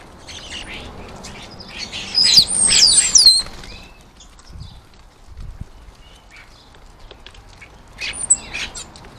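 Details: Common starlings arriving to feed at a garden bird table: a loud volley of grating squawks and high slurred whistles for about a second and a half, then quieter scattered calls and a final harsh note.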